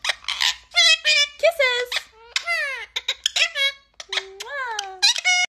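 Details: Rose-ringed parakeet (Indian ringneck, Psittacula krameri), a talking pet bird, chatters mimicked speech in a high, squeaky, nasal voice, a quick string of word-like syllables with rising and falling inflections.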